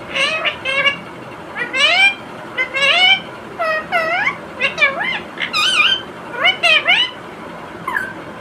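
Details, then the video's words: Pet Indian ringneck parrot chattering nonstop while eating tomato, uttering quick squeaky, wavering speech-like syllables in short bursts with brief pauses, over constant background hiss. "Non -Stop Talking Parrot 🦜 Talking To Everything"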